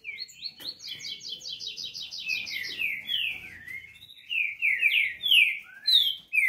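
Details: Crossbred green-winged saltator opening with a fast, evenly repeated series of short high notes, then switching to loud, full slurred whistles in separate phrases, each note sweeping downward.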